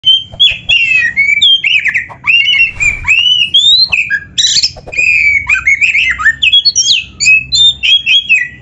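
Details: Oriental magpie-robin in full song packed with varied phrases: loud, rich whistles that rise and fall, mixed with scratchy chatter and sharp downslurred notes, delivered in a near-continuous stream.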